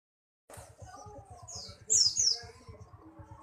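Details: White-eye, called pleci buxtomi, singing: a loud burst of high, thin, rapid twittered notes sliding downward near the middle, with softer high chirps before and after over a steady low rhythmic thumping in the background.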